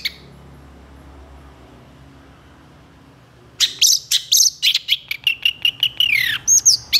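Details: Long-tailed shrike singing with energy and excitement: after several seconds of near silence, a fast series of sharp, clipped chattering notes runs on, ending in a slurred, descending whistle-like phrase.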